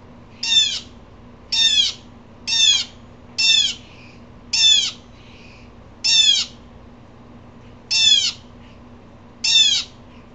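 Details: An upset Blue Jay, which upsets the squirrels too, gives eight harsh, scratchy, downslurred jeers, each about half a second long and spaced roughly a second apart, over a faint low hum, at a Florida window.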